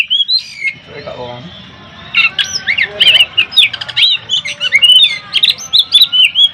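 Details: Oriental magpie-robin in competition singing, a loud, steady 'ngeplong' style said to provoke rival birds; fast, varied run of squeaky chirps and short slurred whistles, tightly packed and high, after a few lower notes; faint low hum underneath.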